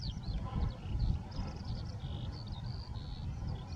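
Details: Lapwings calling in the Warta mouth region: a string of squeaky, slurred and bending notes, some short and steady, from several birds, with heavy buffeting wind throughout.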